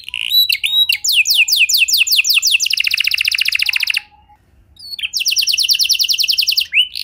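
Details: Canary song used to make other canaries sing, with chirps leading into a rapid even trill of repeated notes, a pause of about a second, then another fast trill.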